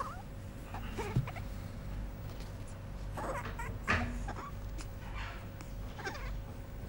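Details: Koko, a hand-reared African grey parrot at Kuwait Zoo in 2010, gives a few soft, whiny, rising calls at uneven intervals, some almost like a dog's whimper, over a steady low hum.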